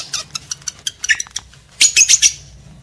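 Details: Lovebird sounds meant to arouse breeding males and females: a quick series of sharp clicking chirps, then a dense burst of high, shrill chattering notes near the end.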